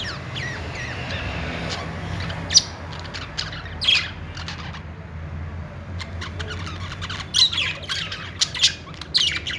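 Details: Contented budgies give scattered squawks and bright chirps, quieter at first and then denser toward the end, with a low background rumble.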